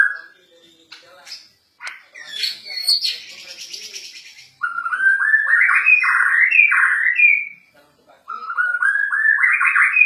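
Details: Agitated White-rumped shama of the Borneo form singing loudly: harsh buzzy notes give way to long bursts of rapid, stepped, rising whistled phrases, repeated after a short pause.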